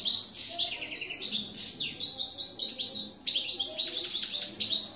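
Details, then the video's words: Campero-style goldfinch song from 2017, a fast, continuous twitter of high tinkling notes, quick down-slurred chips and brief buzzy trills, delivered in rapid phrases with only a short break near the middle. "jilguero campero"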